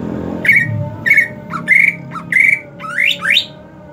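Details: Greater green leafbird, a kept bird in the hot season, gives loud harsh whistled notes near one pitch, about one every half second, ending in two fast rising sweeps; low background hum.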